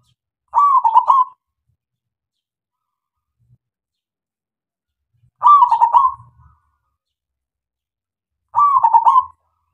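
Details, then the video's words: Local zebra dove singing loudly as bait for silent doves: three bubbling, stuttered coo phrases, the gaps between them about four then three seconds, with faint low murmurs after the second. "SUARA PERKUTUT LOKAL SUPER GACOR MEMANCING SEMUA KUTUT DIAM JAMINAN NYAUT"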